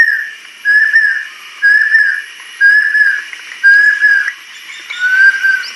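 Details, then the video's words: Adult female banded kingfisher: five evenly spaced, level whistled notes, each about half a second long, with roughly a second between them. "Banded Kingfisher-Song"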